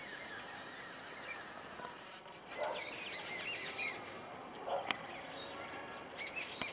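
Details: Blue magpie picking and eating Himalayan wild pear in a garden near Solan gives scattered harsh notes and brief high chirps among steady outdoor background hiss, with other small birds twittering at intervals.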